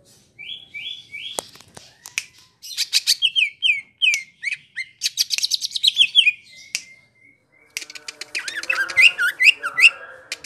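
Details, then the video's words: Greater green leafbird, called cucak ijo in Indonesia, singing continuously: whistled slurred notes, a sharp snap, fast buzzy trilled phrases, a steady thin whistle, and finally varied looping warbled notes. "Suara Burung Cuc4k Ijo Ngerol Dur4si P4nj4ng"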